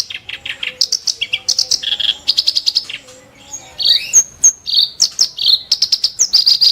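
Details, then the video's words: Rough, sharp song of a kerak basi: varied buzzy notes and clicky trills in quick succession, shifting in pitch, with a short pause and thin high whistles before the chatter continues. "burung KERAK BASI tembakan tajam & kasar"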